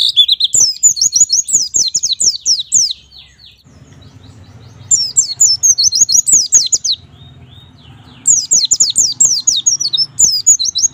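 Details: Hard-driving 'gacor nembak' song from a white-eye, meant to prompt young white-eyes to sing: three bursts of fast, high, downward-sweeping notes, each lasting about three seconds, split by short pauses.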